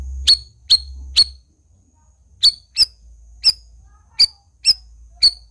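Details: Black-crested bulbul (cucak rawis) in full voice: three quick shrill chips, a short pause, then six more high, slightly slurred notes spaced about half a second apart.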